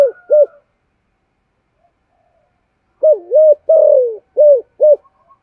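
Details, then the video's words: Decoy spotted dove calling to stir up wild doves: two quick arched coos, a long gap, then a dipping double coo, a drawn falling note and two short clipped coos, in otherwise silent surroundings. "Thổ Sấm thúc gù gáy gọi dùng kích bổi"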